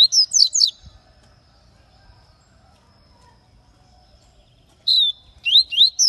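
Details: Papa-capim (double-collared seedeater) male from Aracaju, Sergipe, Brazil, singing in the baianinho song style: two bursts of quick, sharp, slurred whistled notes, each under a second, separated by about four seconds of quiet.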